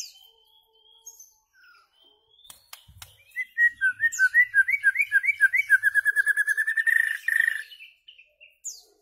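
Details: Song of a white-rumped shama for tutoring goldfinches and their hybrids: faint scattered notes, then a fast even trill of rising whistled notes repeated for about four seconds.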